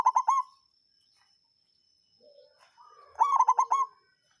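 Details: Zebra dove, local songgo ratu type, lure song to stir rival birds: two quick staccato cooing phrases of five or six pulsed notes, separated by soft quiet notes.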